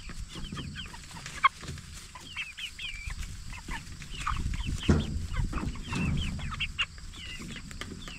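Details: Meat-raised Jumbo Cornish Cross broiler chickens at 44 days old produce a continuous chatter of brief descending peeps from many birds, with a sharp click near the start and low droning noise throughout.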